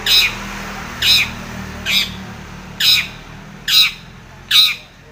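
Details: Long-tailed shrike, locally called cendet or pentet, calling to provoke a rival: six loud, rasping squawks, each short and harsh, delivered roughly once per second over a faint low hum.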